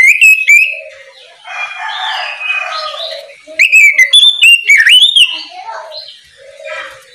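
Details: Oriental magpie-robin singing ngeplong style in the morning to call other magpie-robins into song. Bright whistled phrases open and recur midway, while a lower crowing-like sound fills the pauses in the background.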